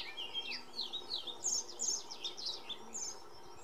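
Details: Male-style singing of an Iberian pied flycatcher in Sierra de Piedrahita, central Spain, recorded 4 May 2014. Bright slurred notes are delivered in a lively, repeated pattern, with thin high calls and distant birds behind.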